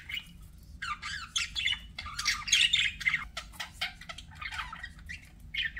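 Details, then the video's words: Pet budgies warbling softly with rapid chirps, rising and falling squeaky notes and short squawks, roughly four notes a second, over a faint background hum. "BUDGIE SOUNDS"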